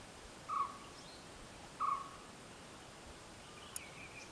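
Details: Common hawk-cuckoo giving two separate, clear, flat, mid-pitched whistled notes about 1.3 seconds apart in a quiet setting, followed by a faint higher note and a single sharp click.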